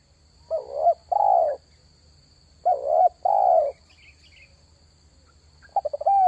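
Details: Spotted dove calling to lure wild doves, repeating a phrase twice: a brief rising note followed by a full, throaty falling coo, with pauses between phrases and faint twittering from another bird.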